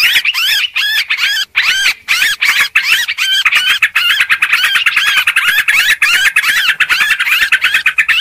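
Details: Rowdy sooty-headed bulbul chatter for luring birds: an unbroken, busy stream of looping, warbled notes and squeaky chirps from overlapping callers, continuing nearly without pause.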